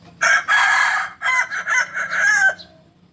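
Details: Crowing Kukuak Balenggek cock from Solok: two sustained bright syllables, then a series of shorter linked notes ending near two and a half seconds, followed by near silence.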